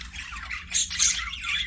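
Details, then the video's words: Aviary budgerigars kept as pets chatter in quick scratchy chirps, with two louder shrill squawks rising above the warbling near the end. "PARAKEET NOISES"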